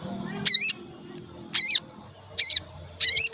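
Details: Olive-backed tailorbird song used as a lure to make the bird sing: four loud, sharp chirped notes with steep rising and falling sweeps, spaced about a second apart, over quiet background hiss.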